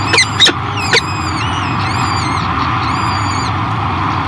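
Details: A female peregrine falcon feeding fresh hatchlings at her Great Spirit Bluff nest in 2023: three quick harsh notes, then a string of high, quavering, whistled peeps over steady hum.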